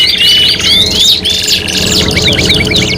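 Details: Short burst of canary tutoring song for competition: sweeping whistled slurs, then a neat series of rapid, evenly spaced chips in a quick trill.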